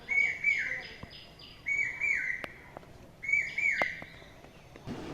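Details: An Asian koel calls on a cloudy, hot Friday morning in spring, giving loud, whistled two-part calls, three phrases about a second and a half apart, with sharp household clicks and knocks behind.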